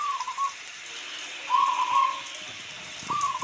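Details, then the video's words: Local zebra dove cooing, with rain sounds in the background. Soft, clear, low whistled coos come in short rolling phrases separated by pauses of about a second, over a steady hiss of rain. "Suara perkutut lokal sangat jernih"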